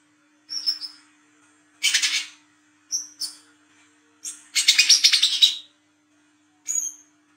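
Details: Olive-backed sunbird at night, a lure for young birds: high thin whistled notes alternate with short buzzy rattles and squeaky chips, ending in one clear high note.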